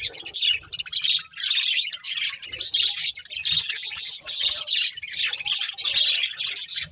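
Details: Budgies in a breeding pair chirping in lively bursts, high twittering phrases of a second or so separated by short pauses, loud and continuous.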